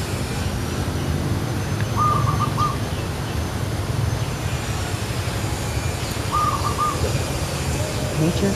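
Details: Zebra dove (Geopelia striata) on a tree gives two quick rolling phrases of four or five clipped, mellow notes, about four seconds apart, against a continuous low rumble.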